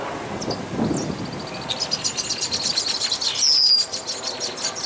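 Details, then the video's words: Red-winged blackbird chicks in a nest at Dufferin Islands give a rapid stream of thin, high ticking peeps, with one clear, slightly falling whistle near the end; a brief low rumble comes early. "Red-Winged Blackbird Chicks In Nest"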